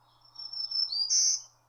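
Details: In northern woods in Canada in July 2020, a singing Tennessee Warbler gives a brief, very high song fragment: a thin whistle sliding into a bright, buzzy burst, over a faint low hum.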